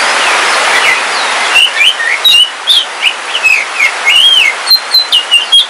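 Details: Home-kept oriental magpie-robin, Kalimantan black form, singing during rain: clear whistled phrases, rising and falling slurs and short chips over a background of steady rain hiss.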